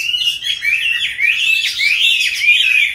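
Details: Captive Chinese hwamei of five years' keeping, caught wild, delivering a smooth stream of rising and falling whistled notes in a fluent song.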